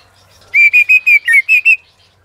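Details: White-rumped shama in competitive singing, with a female stirring the male: a short phrase of seven loud, even, whistled notes at a steady pitch, one slightly lower and dipping.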